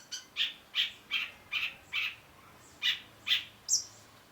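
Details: Long-tailed shrike (cendet) tutor song for training a bird not to stall: a run of about two clipped raspy notes per second, a short pause, two more, then a sharp high whistle at the end.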